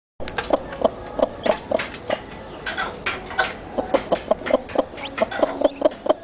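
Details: Newly hatched chickens with their mother: low, short clucks repeated irregularly, roughly every quarter to half second, with a few faint high peeps in between.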